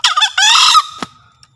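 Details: Crow of a Javan green junglefowl used as a lure in the forest. A hoarse stuttering start runs into a long buzzy note that thins into a faint whistled tail, with a sharp knock after it.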